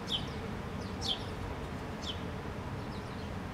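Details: House sparrows in a park in Helsinki, Finland, in August 2013: three short, bright chirps about a second apart over a steady low rumble of background noise.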